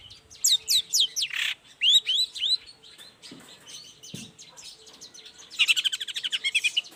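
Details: Long-tailed shrike singing in the morning to lure other shrikes: a series of clear whistled downslurs, then quieter notes, ending in a fast, even trill-like rattle of short notes.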